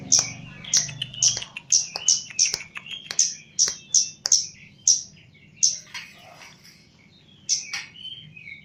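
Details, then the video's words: Caged Javan chestnut-capped laughingthrush in training, singing vigorously: loud sharp whistled notes repeated about every half second, each a high bright note over a lower trailing tone, pausing briefly near the end; a faint low hum early on. "KEMADE JAWA GACOR"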